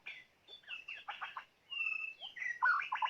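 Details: White-rumped shama, a decoy bird used for luring, singing a rich, varied song: whistled slurred notes and quick buzzy, stuttering phrases tumbling one after another with brief pauses.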